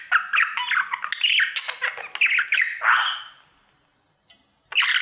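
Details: Pet male budgie singing at its mirror: loud rapid squawky warbling for about three seconds, fading into silence before another burst starts.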